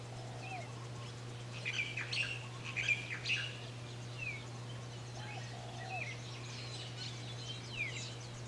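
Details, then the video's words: Japanese white-eyes (Mejiro) active daily in a yard on Maui, Hawaii, spring/summer 2020, feeding on flower nectar and insects; thin high chirps and short down-slurred notes scattered irregularly, a few lower whistled notes, over a steady low hum. "Japanese White-Eye (Mejiro)"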